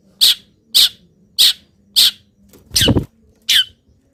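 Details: Moulting long-tailed shrike singing copied wild-bird phrases: a string of harsh, rasping notes about every 0.6 seconds, one with a coarse low rumble mixed in, over a faint hum.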